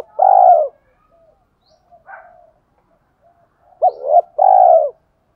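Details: A spotted dove singing in the giọng thổ pha đồng style to draw in other doves: a long soft coo, a faint short note, then a full phrase of quick double hoot and a sustained coo.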